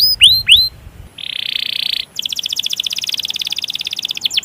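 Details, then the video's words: Canary singing a long roll to stimulate other canaries. Two swooping whistles, a steady buzzy tone, then a rapid rolling trill ending in a few down-slurred notes. "Masteran Suara Burung Kenari Ngerol Panjang Cuit Cuit emosi"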